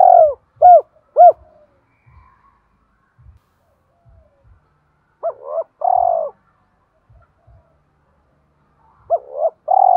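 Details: Spotted dove kept as a lure bird, with a 'thổ' voice style, singing to provoke wild doves into calling: short arched coos in clusters of three, each group ending in a longer, lower drawn-out coo, with faint background taps.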